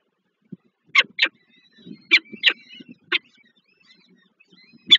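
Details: Peregrine falcon nestlings at a Warsaw-Żerań nest, Poland, 7 May 2023, fed by the adult female; sharp harsh squeals in short bursts about every second, with soft thin whistles between.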